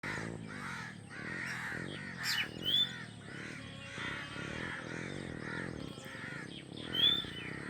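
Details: Newly hatched drongo nestlings in the nest, waiting for their mother to bring food, give a rough chorus of harsh, raspy calls. The calls repeat in quick bursts over a steady low background hum, with a couple of thin, high squeaks.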